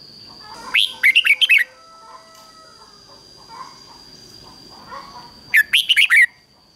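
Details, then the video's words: Red-whiskered bulbul decoy bird calling to draw in wild bulbuls: two bursts of quick, bright warbling phrases separated by a quiet stretch with faint softer notes and a constant high tone. "Chào mào mồi HÓT CHÉ GỌI BỔI CĂNG ĐÉT"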